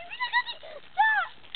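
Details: Noisy geese calling: a few short nasal honks with arched, rising-falling pitch, then one longer, louder drawn-out honk that slides downward.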